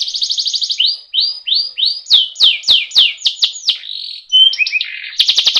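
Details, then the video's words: Training song of a canary, played to bring caged birds into song: a quick trill, upward-sweeping whistles, loud falling chops, then varied twittering phrases ending in a rapid buzzy trill. "Suara masteran burung kenari ngerooll agar burung cepat gacooorrr.."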